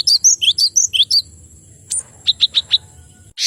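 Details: Rapid two-note whistled phrases from a male cinereous tit, falling and rising in quick alternation, followed by a high note and four crisp repeated chips, ending in a buzzy burst.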